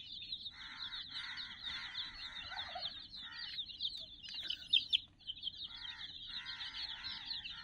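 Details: Dozens of chicks, about 60 in all, playing around a toy teddy: a dense, continuous wash of high, rapid peeping, with bursts of lower, rounder harmonic calls breaking in at intervals.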